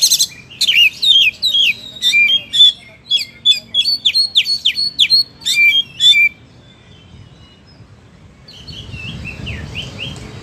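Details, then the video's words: Oriental magpie-robin (kacer) singing "gacor": a rapid series of loud falling whistled notes for about six seconds, then quiet, ending with a faint softer phrase and rising background noise. "Suara Burung Kacer Gacor, Kicauan Terbaik 2021"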